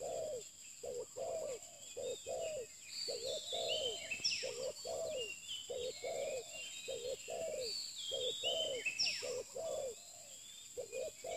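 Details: Spotted dove, a new bird at a pikat luring spot, cooing steadily in low repeated phrases over about eleven seconds, with many birds chirping and whistling above.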